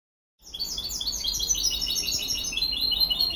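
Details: European goldfinch hybrid singing a dense, fast twittering song of bright, high chirps and trills that starts abruptly and runs continuously without pause.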